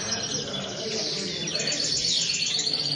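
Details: Common linnet song: rapid high twittering and chirping notes packed closely together, with thin whistled strands high in pitch, over a steady background hiss.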